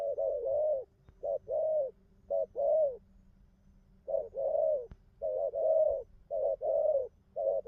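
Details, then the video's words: Spotted dove giving repeated cooing phrases, short hoots followed by longer rounded coos, delivered in bursts with a pause of about a second in the middle and a faint low hum beneath. "nước gù tốt"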